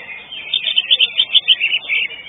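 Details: Common green magpie singing at a bird-singing competition on 19 March 2022, placing fourth: a rapid string of bright, evenly repeated high chirping notes, about five per second, over faint background noise.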